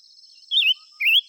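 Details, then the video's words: Five-coloured bird singing two bright whistled phrases, the first wavering downward and the second sliding upward, against a constant high-pitched insect drone. "tiếng chim ngũ sắc hót chuẩn muồi gọi buổi.."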